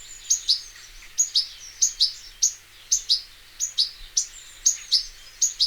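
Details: Wild European goldfinch, locally called Arous al-Turkman or Taqtaq Shouk, recorded in nature; high, sharp paired chirps repeated roughly every half second in a steady series, with a quiet background.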